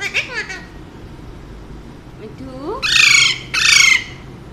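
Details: Male Alexandrine parakeet kept as a household pet: quiet wavering, voice-like chatter with rising slurred notes, then two loud, grating squawks about half a second apart.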